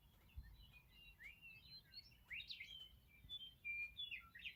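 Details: Morning meadowlarks: scattered whistled and slurred notes build into a louder, gurgling, fluty phrase near the end, over a soft background hiss.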